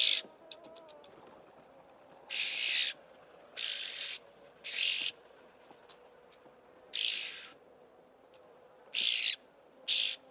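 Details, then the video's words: Oxpecker, known locally in Somali as jirri, from Somali wildlife: sharp high ticking clicks alternate with loud harsh hissing bursts about half a second long, repeated irregularly over a steady low hum. "Jirri | oxpecker"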